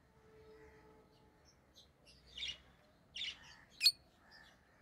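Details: Rosy-faced lovebirds, pet birds of orange-faced green and red-headed green forms, make three scratchy high chirps about a second apart, the last the sharpest, over faint background hum.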